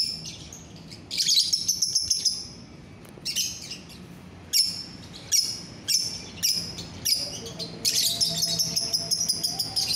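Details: Euwing green biola lovebird on 24 November 2021: a run of sharp, shrill chirps repeated roughly every half second, ending in a longer continuous high chattering trill.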